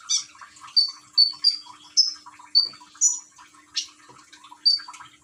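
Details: Common iora in East Java, Indonesia, recorded on an Android phone alongside gurgling water therapy: sparse piercing whistles, level or slightly falling, roughly two per second, with one higher note and a noisy splash.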